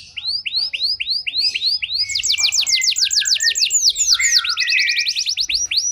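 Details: Lure song of a canary, played to make canaries lacking condition respond: evenly spaced curling whistles give way to a faster, tightly packed rolling trill, then a jumbled busy phrase with lower notes.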